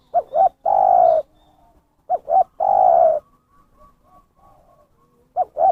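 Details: Spotted dove lure call used by bird trappers: two phrases of a quick double note followed by a drawn-out, slightly falling coo. A third phrase starts at the end, with faint soft sounds in the pause.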